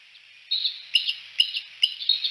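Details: Bald eagles at Decorah at sunset, three on the Y perch; high, thin chittering calls come in bursts roughly every half second, each opening with a sharp squeaky note and trailing into softer twittering notes.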